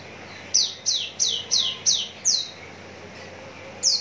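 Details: Javan bush lark, described as ready for singing contests, from Citra Raya, Cikupa, Tangerang regency, Indonesia: six bright, high, downslurred notes in a quick run about three per second, then a pause and one more note.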